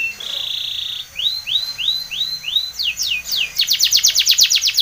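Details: Training song of a Spanish Timbrado canary: a rolling rattle, five evenly spaced rising arched whistles, then a rapid string of sharp downslurred notes repeated many times.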